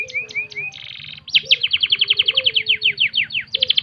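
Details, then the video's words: Canary singing for bird training: a few curved whistles, a brief buzzy trill, then a long even run of quick sweeping notes about eight per second, against a low hum. "full masteran kenari"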